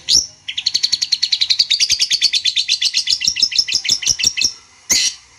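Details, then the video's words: Long-tailed shrike lure song to stir a rival into answering: a steady rapid chatter of bright high notes lasting about four seconds, closed by a harsh rasp. "pancingan burung cendet bikin emosi lawan nya jamin nyaut"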